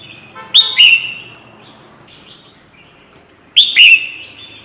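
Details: Red-whiskered bulbul lure call used for bird trapping: two bright, sharp-onset chirping phrases about three seconds apart, each a quick upward flick trailing into a slurred warble, over faint background hiss.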